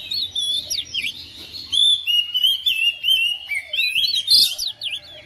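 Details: Domestic oriental magpie-robin that quickly responds and sings along with another bird: loud, varied whistles with rising and falling slurs and chattering notes, delivered in a continuous, lively run.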